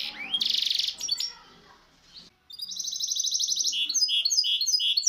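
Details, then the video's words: Misto hybrid canary singing for young birds to learn from: a harsh buzzy burst and a pause, then clear, rapid high trills breaking into rounded, bubbling notes. "شريط طائر الميستو الهجين للتحفيظ الفراخ"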